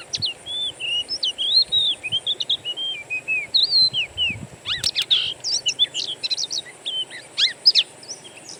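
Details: Wild-bird master recording of Oriental magpie-robin song used to trigger singing in a kept bird: smooth wavering whistled notes at first, then sharp rising chirps and clipped phrases packed closely together.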